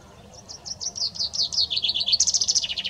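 Common chaffinch song: a bright run of quick notes cascading downward and speeding up, ending in a higher, rattling flourish that drops away.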